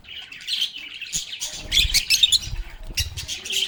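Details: Lovebirds chattering and playing: continuous high twitters and squeaky chirps overlap, growing busier and louder after the halfway point, with soft fluttering and low bumps underneath.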